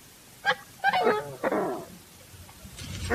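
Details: Coscoroba Swan honking: a short note, then two gruff, rich, down-slurred honks in quick succession, a pause, and a final rising honk at the end over a faint low background hum.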